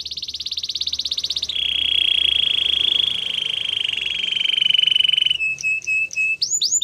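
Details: Canary singing a training song: a fast pulsed buzzy trill, then a long sustained rolling trill on one pitch, ending in short clipped notes and upward flicks.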